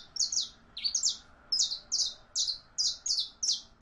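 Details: Female canary in heat calling a male for mating: loud, high, paired chirps repeated roughly every half second, slightly buzzy and descending, in a quiet room.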